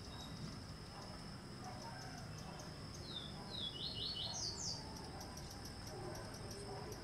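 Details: Woodpecker feeding on a larva in Brazilian tropical forest: one short series of thin, piercing notes, stepping upward and ending higher, about a second long, with an unbroken high-pitched insect whine running through.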